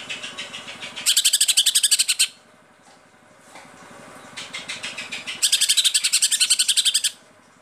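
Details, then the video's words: Kept Cucak ijo (Greater Green Leafbird) in gacor full 'tembakan' song: two long rapid-fire bursts of shrill, stuttering high chirps, roughly four per second, separated by quieter twittering, over a continuous low hum. "Cucak ijo gacor full tembakan"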